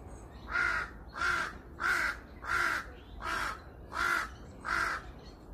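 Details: A crow on a hill in Seongbuk-dong gives seven harsh, hoarse caws, one roughly every two-thirds of a second, in a steady series over faint background hiss.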